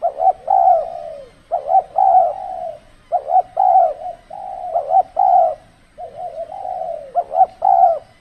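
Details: Decoy spotted dove in a trapping setting during the cold season; strong cooing in repeated phrases, a quick double hiccup note followed by a drawn-out coo, roughly every second or so with short silences between.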